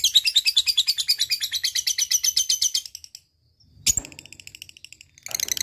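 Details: ['Lovebird ngekek, a close-spaced chattering song played to coax lazy lovebirds into singing: a long, fast, high trill of even pulses lasting about three seconds, a pause, one harsh shriek, then the chatter resumes.']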